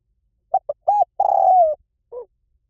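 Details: Spotted dove song, หลิ่วตัน style, played so a trained bird sings back: two quick notes, a rounded coo, a long coo sliding down, then a soft closing note.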